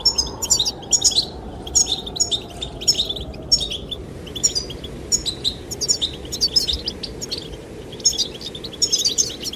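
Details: Goldfinches singing to attract the female: repeated clusters of high, bubbling twitters about once a second for nearly ten seconds, over a continuous whoosh of wind.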